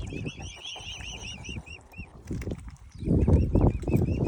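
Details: Young swans from a family with five cygnets give thin, high, arching peeps in quick succession, several per second, over a steady low rumble of background noise.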